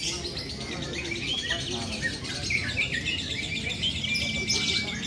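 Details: Contest lovebird singing during a fighter session at a national gathering in Borobudur: fast, high, buzzy twittering runs that break into squeaky notes, ending in a long thin whistle, with murmuring people and background birds.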